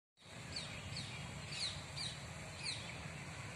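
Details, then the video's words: Female Asian koel calling: sharp, short high notes, each dropping slightly in pitch, spaced unevenly about every half second over steady low rumbling background noise. "Female cuckoo ( मादा कोयल)"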